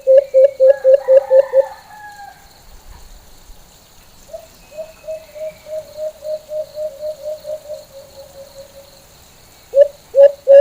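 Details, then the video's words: White-eared brown dove (alimokon) giving its full, normal call: a fast run of low, hollow hoots, then a slower, gently falling series of soft coos, ending with more quick, loud hoots. Faint higher whistles from other birds run behind it. "HONING BUO NG ALIMOKON.(calling sound of white eared brown dove)"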